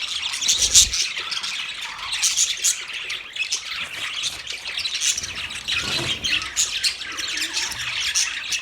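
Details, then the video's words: Beautiful colourful Australian parrots, budgerigars, produce a loud, dense chorus of squawky chirps and thin whistled squeaks, with a few low thuds near the beginning. "Australian Parrot Bird Chirping sound"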